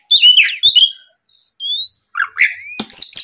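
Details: Oriental magpie-robin singing in the morning, played to provoke rival birds into song; high, fast twittering phrases and clear rising whistles with brief pauses between bursts.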